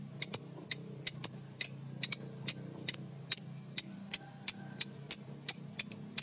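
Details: Lovebird calls meant to provoke other lovebirds: sharp, high, clipped chirps repeated steadily about every third of a second, with a low hum underneath.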